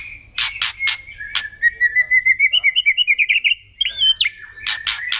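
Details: White-rumped shama singing in kretekan style to provoke other birds: crackling bursts, then a long steady whistle breaking into rapid ticking notes that quicken, a looping whistle, and final harsh crackles.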